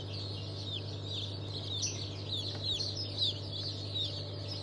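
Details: Newly hatched chicken chicks from a March 2023 hatch of breeds including Fizan, Orange, Gold, Silver, Rahibe, Legbar and İspenç, giving high thin peeps in overlapping bursts over a steady low machine hum.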